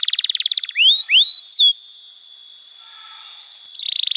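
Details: Canary training song for young birds: a brief rapid trill, three rising whistled slurs and one sharp downslur, then a near-silent pause before a short high trill resumes.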